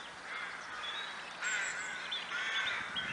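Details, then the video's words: Brief burst of crow calls in Kloosterbos woodland, Vaals: rough overlapping caws growing louder halfway, with a thin high whistle-like tone above. "Kraaien - Crows"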